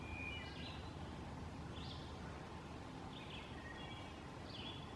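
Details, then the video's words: Kentucky Warbler (Geothlypis formosa) at Evansburg State Park, Montgomery County, Pennsylvania, 24 May 2015, sings faint, rolling two-part phrases, high and slurred, about every second and a half over a low rumble. "Kentucky Warbler"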